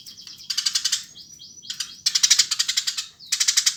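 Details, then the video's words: Eurasian tree sparrow in full voice: bursts of loud, buzzy, rapid chirps alternate with several thin, rising, whistled slurs, then a strong chattering run and a final chirp burst. "Burung gereja gacor"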